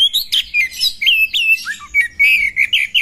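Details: Female Oriental magpie-robin in a fight, giving loud whistled slurs and rising chirps in tight, rhythmic bursts, with one short low dip midway.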